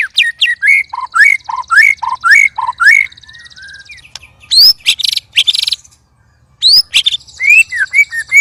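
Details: Sparring white-rumped shama among three birds producing loud, strange sounds: brisk rising whistled notes in a fast series, buzzy harsh bursts, a brief pause, then more high whistles and trailing notes.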